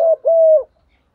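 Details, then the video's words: Morning call of a female spotted dove kept as a decoy to attract males: a brief low coo followed by a longer, steady, hollow coo that drops slightly at the end, with no other sounds. "tieng chim cu mai kích trống buổi sáng, chim cu mái mồi gáy gọi/ tiếng cu gáy"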